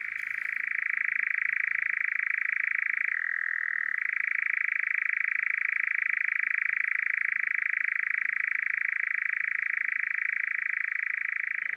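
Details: Male European nightjar churring at dusk on Hazeley Heath heathland in summer, one of three churring males present. It gives a loud, unbroken mechanical churr, a rapid even rattle. The pitch drops briefly about three seconds in, then returns.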